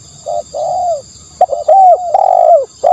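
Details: Spotted dove cooing for a decoy recording: a short coo, then a long, smooth falling one, then a fast cluster of clipped and drawn notes, all low and soft.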